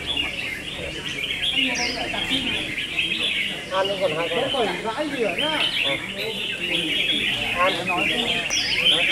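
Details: Red-whiskered bulbul singing battle, with an unbroken chorus of chirps and a stretch of rich, rapidly modulated warbling phrases from multiple birds, plus a few sharp whistles.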